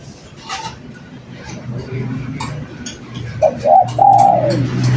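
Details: Spotted dove cooing, a lure recording meant to prompt other doves to call: a short low coo, a rolling rising note, then a long drawn-out coo near the end, over a steady low hum and faint voices earlier.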